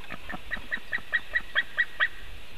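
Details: A white-tailed eagle at a nest webcam in Latvia, 2018, gives a quick series of about ten sharp, yelping notes, roughly five a second, over a low background rumble.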